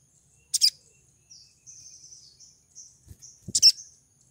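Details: Female crimson sunbird in breeding condition calling to lure a male: two sharp, very high metallic chips about three seconds apart, with thin, high, wavering twittering between them, in an otherwise quiet setting.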